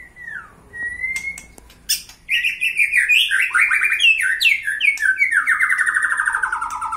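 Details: Agitated white-rumped shama, a kept bird being provoked to fight, opens with a slurred whistle, then launches into a long, rapid, rattling series of notes that slide steadily downward in pitch.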